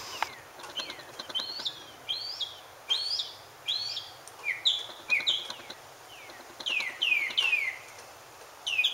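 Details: Mockingbird in song while seeking a mate, delivering a varied run of short, high, arched and downslurred notes, some phrases repeated two or three times in quick succession, with constant faint background hiss.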